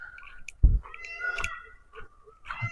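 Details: An Indian peafowl in the grounds of an abandoned 260-acre sanitorium gives a drawn-out, nasal, cat-like wail lasting about a second, over low thumps and handling noise.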